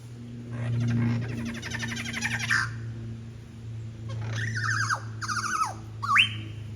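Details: Wild lyrebird on Forest Path in Royal National Park, Sydney, Australia, belting out mimicked bird sounds: a rapid buzzy rattling burst, then loud descending whistled notes and a final sharp upward whip-like sweep, over a low steady hum.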